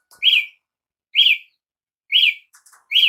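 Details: Brazilian tanager repeating a bright, downslurred chip note four times at uneven gaps, with a few faint soft ticks near the end.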